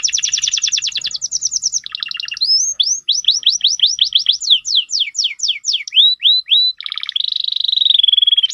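A canary sings a fast, varied song: rapid buzzy trills, then a run of sweeping rising whistles about every third of a second, ending in a high rolling trill.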